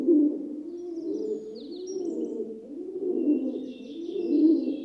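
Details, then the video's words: Rock dove, commonly called pigeon, giving gentle, peaceful cooing: low, rolling, throaty phrases flowing almost without pause for five seconds, with faint high chirps from other birds in the background. "Rock Dove (Columba livia) Sound Effect"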